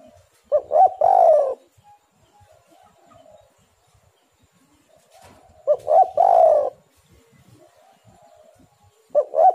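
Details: Spotted dove cooing, recorded as a lure to set other doves singing. Three repeated phrases, roughly every five seconds. Each is a brief note, a doubled note, then a long hoarse coo, with soft murmurs between.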